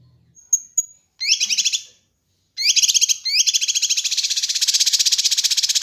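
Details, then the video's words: Kinoi bird master recording for training and luring birds. Two thin, high whistles lead into burst-like phrases of dense, high chattering trills, then a long, buzzy rattle of fast repeated notes that continues to the end. "Masteran Dan Pancingan Burung Kinoi"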